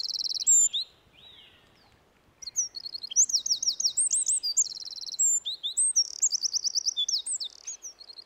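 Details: Eurasian wren (Troglodytes troglodytes) singing while perched right in front of the camera, unafraid: loud, rapid song of high, shrill notes and fast trills tumbling in quick runs, with a brief pause near the start.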